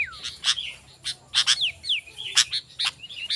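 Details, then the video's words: Sooty-headed bulbul song used to call wild bulbuls: liquid slurred whistles sliding downward alongside sharp chirps, somewhat softer and set against a noisier hissing background. "Suara Burung Kutilang Gacor"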